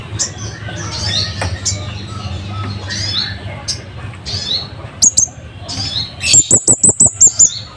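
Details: Loud, sharp Scarlet-headed flowerpecker song for tutoring caged birds: after scattered soft chirps and a single high double note, a clear run of six piercing high notes closes the clip over low background rumble.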